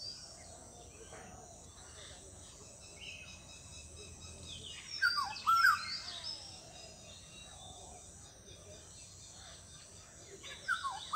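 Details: Indian golden oriole on the bank of the Torsha, Cooch Behar: a short burst of clear, fluty whistled notes midway, with a brief echo of the phrase at the end, over steady background hiss.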